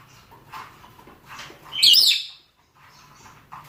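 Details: Rosy-faced and Fischer's lovebirds, males and females, calling for mating: one loud, shrill, harsh screech bursts out midway, surrounded by fainter chattering notes and quiet gaps.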